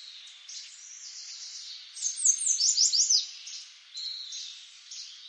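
A Common Yellowthroat sings a quick burst of bright, repeated slurred phrases over a steady high hiss.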